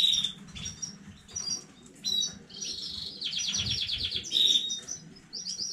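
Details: Domestic canary from a new breeding line, recorded 15 May 2019, singing high rapid trills and rolling runs of repeated notes, with brief chirps between phrases and faint low background rustle.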